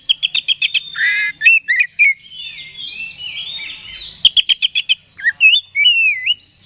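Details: Oriental magpie-robin provocation song: quick bursts of five or six sharp clicking notes, then rising and falling whistled slurs, a soft warbled passage, another click series, and a clear downward-swooping whistle.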